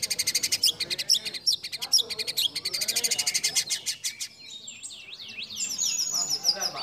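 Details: Judge-pleasing fill-in phrases from a white-rumped shama in competition song. A quick buzzy rattle gives way to looping, warbled high whistles near the end.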